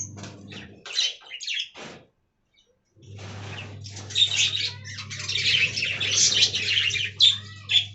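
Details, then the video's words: Budgerigars from an aviary colony: a few short chirps, a full second of silence, then building buzzy warbled chatter with sharp squeaky notes over a low hum. "Budgie Talking Compilation"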